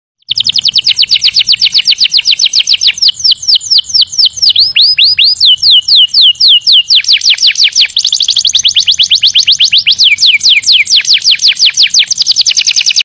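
A canary sings loudly without pause, running rapid trills of high, sweeping notes that shift into new rolling phrases every few seconds.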